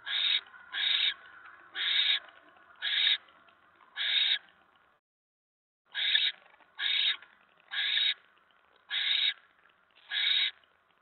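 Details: Barn owl nest camera, 10 November 2017 at 7:50 PM, mouse delivery: a run of five harsh hissing bursts, a silent pause of about a second, then five more at a similar pace.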